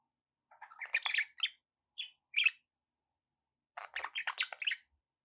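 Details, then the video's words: Budgerigars kept as pets, chattering in quick scratchy chirps and warbles, two short phrases separated by a pause of over a second. "budgie sounds"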